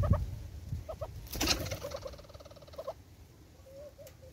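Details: Southern red-billed hornbill at a bird feeder in South Africa: a rapid run of mid-pitched clucking notes for about a second and a half, preceded by a few separate clucks, with rustling and thumping at the feeder.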